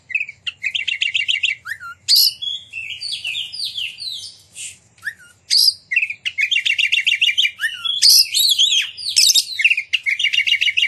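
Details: Energetic Oriental magpie-robin song played to make other magpie-robins join in and spread their tails: repeated rattling trills mixed with sharp high whistles and slurred notes, phrase after phrase.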